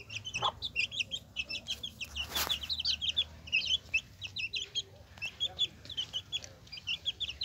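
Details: Hen with her chicks: continuous chorus of high, short chick peeps repeated rapidly, several chicks at once, with one sharp knock in the middle.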